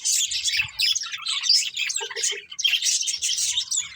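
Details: Budgerigars, a breeding pair kept as pets, chattering in busy overlapping bursts of high, scratchy chirps and warbles, with a few soft lower clicks in the middle.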